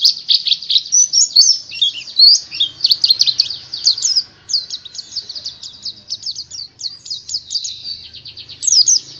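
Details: Continuous high twittering song from a white-eye (pleci), packed with rapid chirps and short trills that run almost without pause, with a soft low hum beneath.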